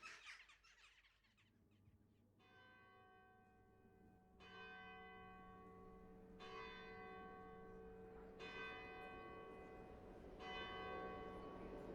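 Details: A church bell tolls about every two seconds, each stroke ringing on and overlapping the next, with no animal voices heard.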